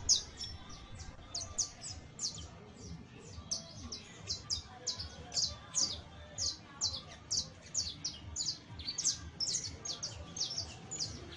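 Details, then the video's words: Young saffron finch giving its first songs and trills, a steady run of sharp, high chirps and short downslurred notes about twice per second, with faint low background rumble. "PICHON DE CANARIO CRIOLLO SOLTANDO SUS PRIMEROS CANTOS, TRINES, CHARRASQUEANDO"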